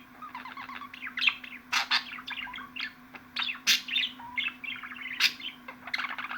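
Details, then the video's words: Budgerigar chatter with rapid bubbling twitters, squeaky rising and falling notes and occasional loud clicks, over a faint steady hum. "MUHABBET KUŞU SESİ"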